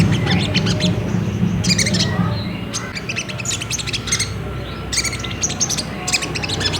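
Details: Ruby-cheeked sunbird chattering, used to provoke another bird into singing: dense, rapid high chirps and sharp ticks in uneven bursts, over a loud low rumble and hum.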